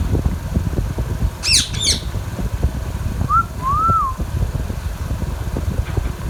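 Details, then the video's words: Baby Indian ringneck parakeet, a pet bird, gives two rough squawks, then a short whistle and a longer arched whistled note that rises and falls, with low rumbling noise throughout. "Indian Ringneck Parrot Talking natural sounds | Bolne Wala Tota | Green Ringneck Parrot Sounds"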